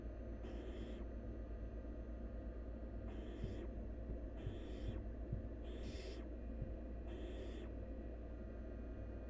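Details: A wild barn owl nestling devouring half a rabbit in one gulp gives five airy, snoring hisses spaced a second or more apart, with faint clicks and a low steady hum beneath.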